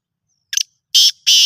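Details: Harsh call fragment from a black francolin, known locally as kala Sindhi teetar: a short clicking lead-in followed by two loud rasping notes about a third of a second apart, against silence.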